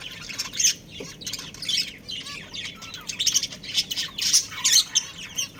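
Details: Breeding pair of budgerigars chirping: soft, scratchy chatter with irregular squeaky bursts and warbled notes, rising and falling in loudness, over a steady low background hiss.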